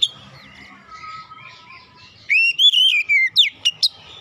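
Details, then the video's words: Song of an Oriental magpie-robin, played to coax a mute bird into singing: soft background warbling, then a strong whistled phrase with wavering notes and a few crisp sharp chips. "TERAPI MEMPERCEPAT KACER BISU MACET BUNYI LANGSUNG GACOR"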